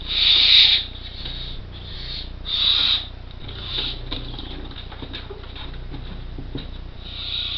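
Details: Four well-developed barn owl chicks nearly ready to fledge, in an artificial nest box in Co. Kerry, give long, rasping hisses ("snoring"), each nearly a second, with softer hisses between. A low steady hum runs underneath.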